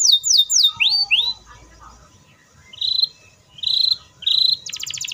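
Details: Canary; song; provoking other canaries to start singing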